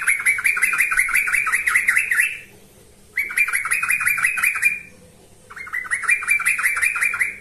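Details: Repeated bubbly chatter from a yellow-vented bulbul used as a training lure: three phrases of rapid tumbling notes, roughly two seconds each, with quiet gaps of under a second.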